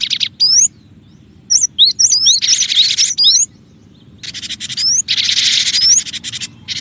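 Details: Cinereous tit sound used to lure other birds: scattered thin upslurred whistles over long harsh buzzy hissing bursts, with several quiet gaps.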